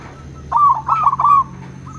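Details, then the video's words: Zebra dove, local and crossbred birds answering each other, giving a mellow cooing phrase: a run of low, rolling coos lasting about one second, with a faint steady hum in the background. "Perkutut lokal dan crossing pasti nyaut!! Suara perkutut pulen paling di cari."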